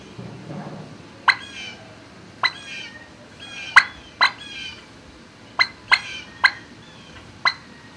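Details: Turkeys in a barn, recorded 26 March 2019 around midday: short sharp clucking notes, each followed by a brief trilling rattle, spaced irregularly about once a second, over a low steady barn hum.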